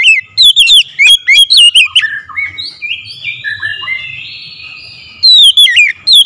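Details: An Oriental magpie-robin (kacer) gives loud, strong calls: bursts of fast, zigzagging whistled notes, then a quieter stretch of long, smooth rising notes, and finally a return to the sharp, loud whistles.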